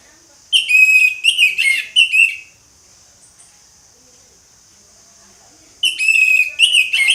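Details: Orange-headed thrush in full ngeplong song, pouring out rapid, varied whistles and harsh, twittering notes in a two-second phrase, a long pause, then another energetic phrase begins.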